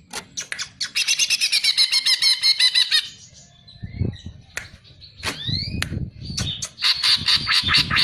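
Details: Greater green leafbird singing: a rapid burst of harsh, chattering notes repeated about three times a second for two seconds, then scattered sharp upward-sweeping calls, ending in a dense buzzy trill; faint low rustling between phrases.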